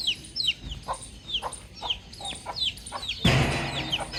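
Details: Baby chick chirping outside with thin descending peeps at an uneven pace, then a sudden loud rustling burst near the end that partly covers the calls.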